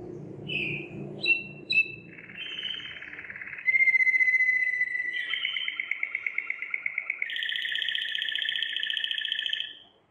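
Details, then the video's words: Belgian Waterslager canary singing, a breed whose song includes water-like tours. A few sharp chirps open, then a buzzy trill, a long clear whistle, a fast pulsed roll, and a fuller bubbling trill; faint low hum beneath. "Huấn luyện chim yến hót | Belgian Waterslager"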